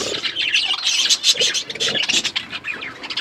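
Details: Budgerigars, pet birds, chirping while eating food: dense overlapping high warbles and chattering chirps, fast and continuous with short squawky notes, several birds calling at once.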